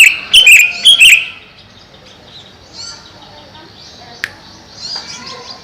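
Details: A captive greater green leafbird (Chloropsis sonnerati), kept in a cage above a pond to stay cool and lively, sings a quick burst of bright, chirpy whistled notes, then quieter scattered chips and a single sharp click.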